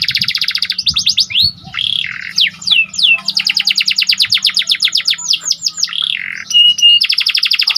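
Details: Panda canary in full, lively song used to stir up excitement: rapid trains of high sweeping notes alternate with buzzy rolls and a few slurred whistles, ending in another fast trill.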